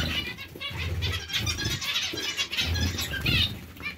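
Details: Zebra finches calling as a colony, a constant tangle of short buzzy, nasal notes with repeated pulses, over intermittent low rumbling.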